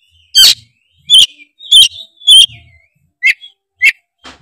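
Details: Kacer, the oriental magpie-robin, singing tretes-style to provoke other birds into singing: loud harsh rasping bursts followed by shorter clipped whistled notes, roughly seven notes at irregular spacing.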